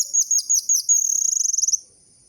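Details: Lure recording of a vocal orange-headed thrush, meant to prompt reluctant captive birds into singing: very high, scratchy chattering phrases that end in a fast, even trill lasting almost a second before stopping.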